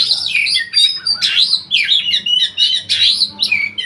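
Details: Oriental magpie-robin, a contest songbird from Riau province, Indonesia, said to be unbeaten at provincial level. It gives rich, loud warbling phrases of downslurred and rising whistles, repeated in quick pulses about every half second.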